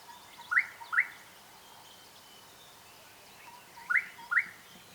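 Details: Gorgeous bushshrike giving two pairs of sharp, rising whistled notes. The notes in each pair are half a second apart, and the pairs come roughly three and a half seconds apart, against a soft background of faint bird chirps.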